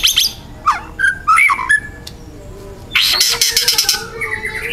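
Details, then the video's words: Wild juvenile white-rumped shama singing hard: swooping whistles and a few clipped notes, then a loud harsh rattling burst followed by thin high whistles. "TEMBAKAN MURAI BATU MUDA HUTAN GACOR KERAS RAPAT MATERI KASARAN"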